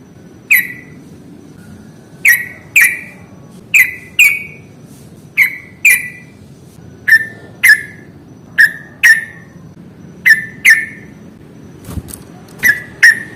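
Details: Sooty-headed bulbul, played to get reluctant birds singing: a steady series of short, bright, slurred notes, often paired, repeated every second or so over a quiet low hum.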